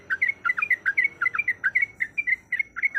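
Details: Female yellow-vented bulbul in breeding condition persistently calling a male, a 'ropelan' style call: bright bubbly chirps with rising and falling notes, repeated in a fast uneven string, faint hum underneath.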